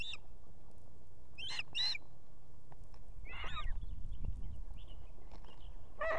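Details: Female osprey at a nest with two chicks in Estonia, on an evening, calling the male to bring food. A few short, harsh, stacked notes come in a pair, then another lone note. Later a slurred whistle is heard, over low steady rumbling noise.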